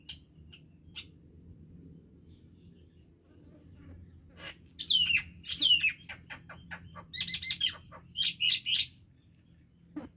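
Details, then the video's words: Common myna singing after a quiet start: a run of strong sweeping, gurgling phrases, then a chattering sequence of rapid, rasping chirps in clustered groups, with a faint low hum underneath. "MYNA BIRD SONG / MYNA BIRD SOUND /MYNAH BIRD SINGING"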